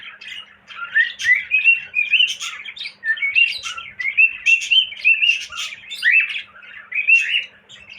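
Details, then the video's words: Continuous cockatiel warble of rising whistled slurs and scratchy chirps, delivered in bursts with brief pauses, with a low background hum. "Bullo Cocktail Parrot Whistling"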